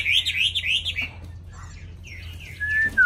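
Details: Caged, hand-tamed hwamei in Vietnam gives a quick burst of rippling whistled notes, falls quiet for over a second, then adds a few scattered notes and a final pure descending whistle.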